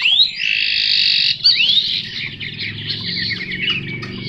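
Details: Chinese hwamei giving a long, steady, buzzy high tone for over a second, then a rising whistled slur and softer jumbled warbling, over a low rumbling hum.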